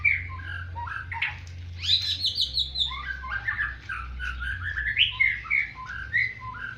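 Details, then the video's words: Captive white-rumped shama singing in a fighting style like the bar-winged prinia: rapid, varied chattering phrases with whistled notes and buzzy trills that rise and fall, over a steady low hum. "Gaya tarungnya seperti burung ciblek"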